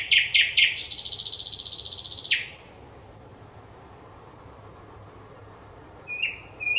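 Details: Thrush nightingale singing on 25 May 2021: three sharp, separate notes, then a dense buzzy rattle of rapid pulses lasting over a second. A pause of near silence follows before short high whistles and clipped notes resume.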